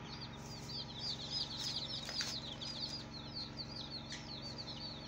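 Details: Baby chicken chicks on their first day of life calling as a flock, many thin high peeps sliding downward, rapid and irregular, with a few soft thumps and a constant low mechanical hum underneath.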